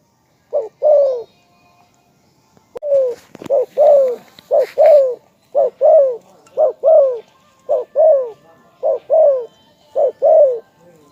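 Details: Spotted dove cooing, a bird praised as a strong caller: low, mellow coos given in quick pairs and short phrases, repeated about once a second after a pause, with a brief sharp click near the start.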